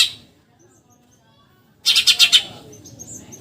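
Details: Eurasian tree sparrow in 'tembakan nyerecet' style, a tutor recording for contest birds: after near silence, one short rapid burst of four or five harsh chirps, then a fading trailing twitter.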